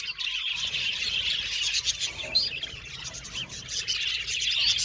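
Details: Budgies chirping together in a lively, dense chatter of high, rapid tweets and short warbled notes, overlapping continuously without pause.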